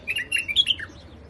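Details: In rooftop gardens in Iraq, a white-eared bulbul gives a brief warbling phrase of bubbly, slurred whistles that rise and fall, ending in a lower dropping note; quiet background.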